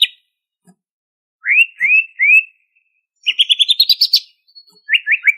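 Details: Greater green leafbird of Banyuwangi origin singing vigorously in ngentrok style with full fill-in phrases. Three rising slurred whistles are followed by a quick ascending chatter, then a trio of short dropping notes.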